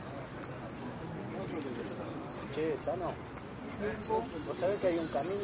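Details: Jilguero, a saffron finch, entered in the blanco de repique class of the Copa Federación singing contest, 23 02 14. It gives a series of sharp, high, clipped chirps about every half second while people talk nearby.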